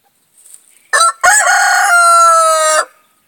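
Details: Rhode Island Red rooster crowing: a faint murmur, then one loud, harmonic crow of about two seconds with a brief break after its first note, holding steady to the end before stopping abruptly.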